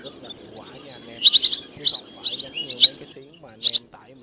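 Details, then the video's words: Male and female black white-bellied swallows calling the flock to roost, a trapping lure for the August 2024 bird season: a fast, chattering run of bright twitters, then a paired chirp, over a dense low background of bird murmur. "Tiếng ÉN GỌI BẦY Bẫy Lưới Và Nhựa Chuẩn Nhất 2024 - ÉN đen gọi bầy trống mái"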